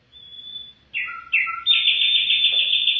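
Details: Afghan bulbul song: a thin high whistle, then two quick lower slurred notes, ending in a long, loud, steady whistled note with a slight warble.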